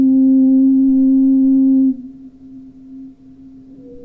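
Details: A pure, sustained singing-bowl-like tone rings for about two seconds, then fades into a softer lingering hum.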